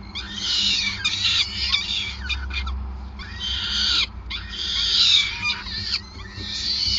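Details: Nesting peregrine falcons in Groningen on 5 May 2020 during a feeding; grating, wailing screams come in long bursts separated by brief pauses, with a constant low rumbling hum underneath.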